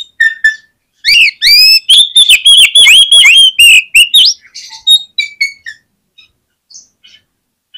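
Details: Vigorously singing oriental magpie-robin, used to spur other magpie-robins into quick song: a fast run of loud, ringing whistles and sharp downward slurs, about three notes a second, fading into softer scattered twitters.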